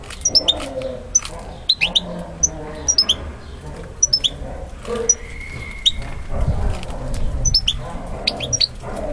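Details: European goldfinch male singing toward a female that accepts him: bright high chirp clusters recur every second or so, with a brief level whistle midway and low rumbling noise underneath.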